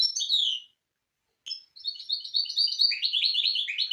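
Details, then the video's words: Training song of a hybrid misto for young birds: a short descending chirp, about a second of quiet, then a lively stream of buzzy, jumbled twitters and trills. "شريط طائر الميستو الهجين للتحفيظ الفراخ"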